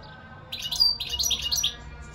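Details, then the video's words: European goldfinch song: a short burst of bright, tinkling twittering notes with a few thin whistled accents, lasting about a second before fading. "اقوا واجمل تغريد حسون"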